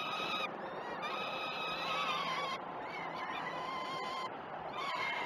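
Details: Nestling peregrine falcons begging at feeding time on the Great Spirit Bluff cam, 12 June 2018; continuous scratchy, wavering screams, several voices overlapping, with brief dips between bursts.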